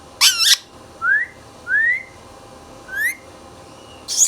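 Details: Indian ringneck parrot, a pet indoors, opening with a loud rasping double screech, then three rising slurred whistles and a final harsh screech.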